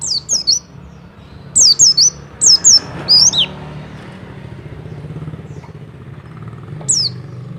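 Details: Double call of a mountain white-eye for raising a male's mating urge: pairs of high, falling whistled notes, then a single one, heard over a constant motor and traffic drone.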